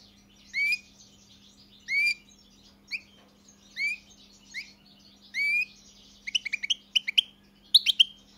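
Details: European goldfinch uttering drawn-out, rising whistled notes about once a second, then breaking into quick tinkling twitters; a steady low electrical hum in the background.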